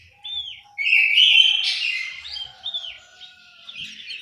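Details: Caged orange-headed thrush in an aviary at Malang, East Java, delivering a bright, rich whistled phrase that swells and then trails into softer twittering notes, with a faint steady hum underneath.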